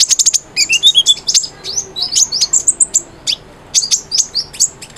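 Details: Cinereous tit singing, played as a training recording to coax silent birds into song: bursts of sharp, high chirps and brief whistled slurs, a short pause near the middle, then more quick twittering notes.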